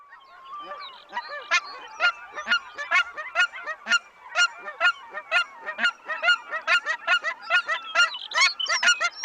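Cackling Goose flock giving rapid, high, yelping honks, about two per second, overlapping from several birds.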